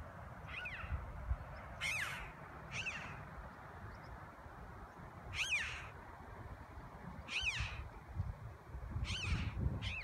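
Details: Two red-billed choughs flying at Telpin call to each other with ringing, slightly nasal 'chee-ow' calls, about eight in ten seconds at uneven gaps, over a steady rumble of wind.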